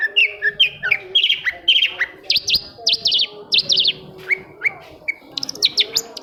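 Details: Long-tailed shrike lure song, played to prompt silent shrikes to sing: a lively mix of squeaky chatter, sharp V-shaped whistled notes in quick pairs, and scattered high chips, over a faint low hum.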